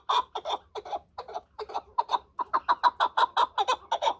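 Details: Short, staccato clucks from a chukar partridge, spaced at first and then quickening into a tighter, louder run.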